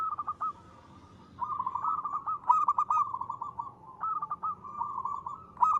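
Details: Local zebra dove singing actively in the clear ngristal style, used as a lure: rolling cooed phrases, each a soft purr breaking into quick bubbling notes, repeated almost without pause over faint background hiss.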